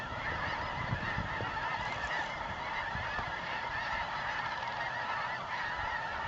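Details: Multitudes of Snow Geese wheeling and settling at nightfall in their New Mexico desert wintering grounds, November; thick layered honking from a huge flock, steady throughout with no single voice standing out.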